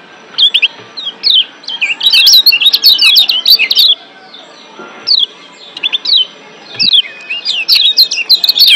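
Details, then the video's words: Lombok white-eye, a yellow zosterops, singing wild-style while excited in breeding condition: bursts of rapid high twittering and chirping phrases with wavering notes, repeated in clusters with short pauses between, faint background hum. "Ciak Joss Kecial Kuning GEBOKAN LIAR Ampuh Naikin BIRAHI Bikin AKTIF BUNYI"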